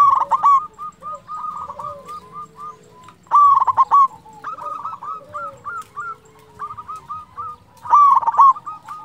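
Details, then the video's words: Zebra dove of local stock, kept as a lure to provoke other doves into replying and raise their breeding drive, delivering three rapid strings of soft staccato coos, each phrase opening with a louder burst, roughly every four seconds. "Perkutut lokal gacor suara merdu cocok untuk pancingan di jamin bikin lawan nyaut"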